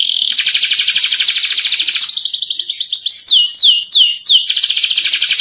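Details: Atlantic canary giving a long, clear 'ngerol' rolling song for tutoring young birds. A steady rapid roll gives way to a run of swooping downslurred whistles, then the quick trill resumes.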